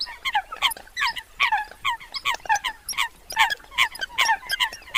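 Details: Eurasian coots calling together: a dense, busy stream of short, sharp, nasal notes tumbling over one another at about two or three per second, with no other sounds standing out.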